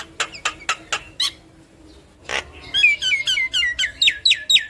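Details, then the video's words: Javan myna with yellow eyes in full vigorous song, head nodding, meant to spur listening mynas to sing. Five harsh rasping bursts come first, then a pause, then a rapid run of bright slurred whistles repeated about twice a second. "Jalak Kebo Mata Kuning Gacor Manggut Manggut Bikin Burung jalak Kebo Yang Dengar Ikut Gacor Manggut2"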